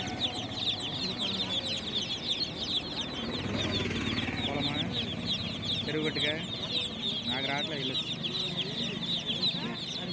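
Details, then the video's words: Newly hatched chicken chicks chirping at night, their high peeps running throughout, mixed with lower, fuller calls and rustling that rise in the middle of the recording. "Tot Murgi Chicks Chirping Sounds"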